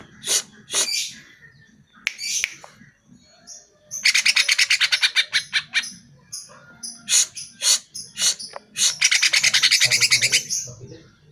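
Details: Greater green leafbird song used as a lure to make caged birds answer and sing: bursts of harsh, buzzy chatter alternate with rapid runs of sharp chirps, a dense scratchy phrase near the end, brief pauses between phrases.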